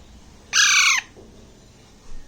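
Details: A month-and-a-half-old Alexandrine parakeet eating grapes in Bangladesh gives one coarse, grating squawk with a slight downward slur, followed by faint soft noises.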